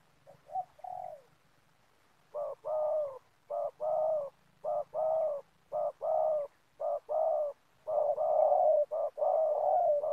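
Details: At an oil palm plantation where birds are being trapped, a spotted dove coos rapidly: a soft opening phrase, then a steady run of short paired low coos, nearly one pair per second, ending in longer blended notes.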